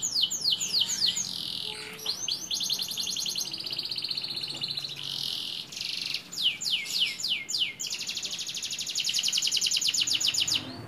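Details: A local canary, labelled "ngerek betina" and used as a lure song for canaries with low breeding drive, sings a loud, fast, high song of rolling trills, rapid down-slurred chirps and long buzzy rattling phrases at a steady high pitch.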